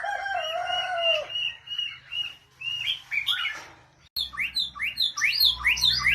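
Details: Oriental magpie-robin vocalising: slurred whistled phrases, then after a brief break a fast run of bright, sharp upslurred chirps repeated in quick succession, with a low steady hum underneath.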